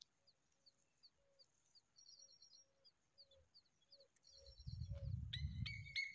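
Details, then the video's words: Hungry familiar chat chick begging: thin, high chips repeated about three times a second, ending in a louder burst of harsh, layered squeaks over low rumbling. "Familiar chat's bird baby became very hungry"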